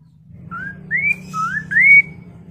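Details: Song of a Chinese hwamei, meant to make other hwameis respond and sing: four clean whistled phrases, each gliding upward, the last the loudest and longest, over a steady low background hum.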